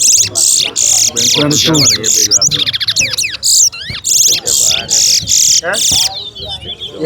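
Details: Chestnut-bellied seed finch (towa towa) singing in a bird race competition at Alligator Park: dense rapid chirps and buzzy trills, fast rising and falling whistled notes in quick bursts, with men's voices counting aloud in the background.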